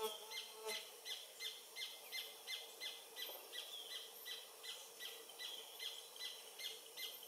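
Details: Paradise Jacamar, subspecies dea, singing in late morning by the Comte (Oyak) river, French Guiana, November 2023: rapid, evenly spaced high piping notes, nearly three a second, running without a break, with a soft hum of forest background.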